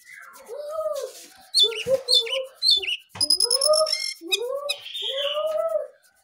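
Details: Early-morning Lesser shortwing in full song: lively sequences of sharp, high twittering notes mixed with lower, rising slurred whistles, repeated in uneven bursts.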